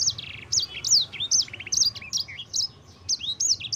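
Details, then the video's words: Yellow-fronted canary singing continuously as a tutor recording for cage birds: fast, bright, high whistled notes, downslurred and upslurred, delivered in quick runs of about two or three per second over a steady low background hum. "Suara burung sanger gacor terbaik paling cocok untuk masteran."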